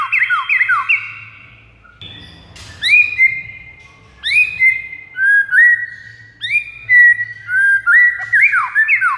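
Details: Rival-luring white-rumped shama song: a fast string of falling slurred whistles, a brief noisy rustle, then a series of loud rising whistles held steady, followed by tumbling notes.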